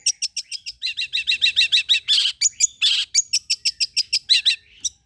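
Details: Long-tailed shrike lure song to provoke other shrikes: a fast, steady string of chirping notes about four per second, broken by two harsh buzzy rattles, with a thin whistle at the end.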